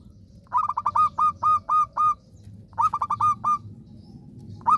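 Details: {'caption': 'Local zebra dove in active song: a burst of seven short, clipped, hooked coos, a pause, then another quick run of four, and the start of a third phrase, over low background rumble.'}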